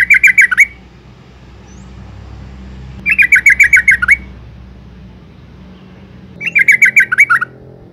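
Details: Female yellow-vented bulbul calling to draw out males, three bursts of rapid, bubbly chirping roughly every three seconds, each a chain of about eight to ten notes, over a low background hum.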